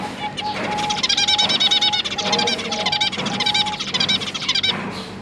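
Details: Zebra finch household of two adults and three juvenile babies being fed, 1 October 2022: a fast continuous chatter of short nasal notes, almost rattling, with a thin steady tone in the background.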